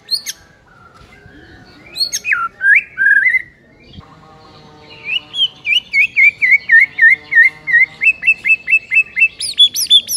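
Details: Morning masteran song of a white-rumped shama. A few rich slurred whistles lead into a long, fast series of repeated, evenly spaced chirping notes, about three per second, ending on high thin notes.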